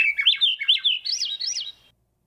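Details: A Swainson's thrush in a tree in Metchosin, B.C., Canada, in June sings one fluty, spiralling phrase of quick looping notes climbing steadily in pitch over under two seconds, with no other sounds.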